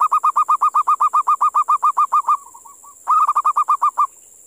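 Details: A wild local zebra dove, caught at a sacred cemetery, gives its eerie call: fast runs of short, mellow cooing notes, about four each second, with a brief pause before another burst, over a steady high hiss.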